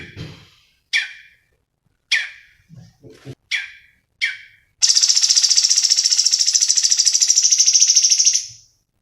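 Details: Energetic 'gacor' cucak cungkok singing used for training: several crisp high downslurred chips at about one-second intervals with soft low knocks between, then a long, steady, buzzing trill lasting roughly four seconds.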